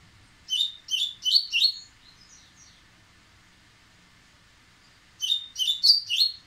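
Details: Agitated Dubois's seedeater getting ready to sing gives two bursts of four sharp, rapid whistled notes, separated by a few seconds of near silence with faint soft notes.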